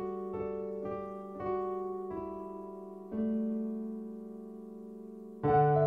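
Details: Slow piano chords ring out and fade, with a louder chord struck near the end and no animal sound.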